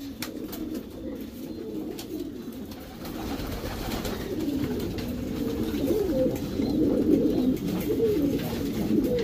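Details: Low murmuring coos of Racing Homer pigeons in a breeding loft grow louder toward the end, many birds overlapping, with sharp clicks early on.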